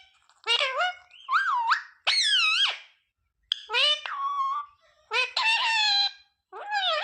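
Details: Ringneck parrot talking, repeating the words mummy, papa and mithu: short, high, strongly harmonic word-like phrases with bending pitch, separated by brief silences.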